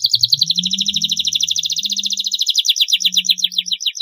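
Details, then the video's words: Long training song for juvenile canaries to make them sing readily: one continuous rapid trill of high chattering notes that slows into distinct downward-sweeping syllables near the end, over a faint low hum. "masteran kenari durasi panjang, masteran kenari paud agar cepat gacor"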